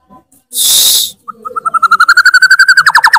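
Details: White-rumped shama in loud, full song: after a burst of harsh hiss, a level whistled note repeats rapidly and accelerates into a fast, regular trill.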